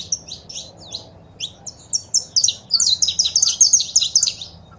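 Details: Saffron finch, male singing with female calls, played to stimulate caged birds to sing: bright chirped notes, sparse at first, then dense rapid twittering phrases, high and buzzy, with faint low background hum.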